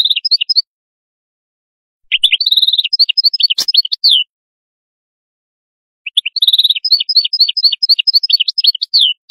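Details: Atlantic canary singing rolling trills and quick chirp series in two main phrases about four seconds apart, each with bright repeated notes and high flicks, in quiet surroundings.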